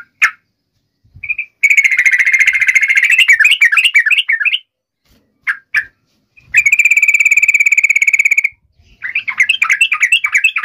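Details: Yellow-vented bulbul lure song for calling a rival: long, harsh buzzy rattles alternating with runs of rapid bouncing, slurred notes over about ten seconds, with a few sharp single clicks between phrases.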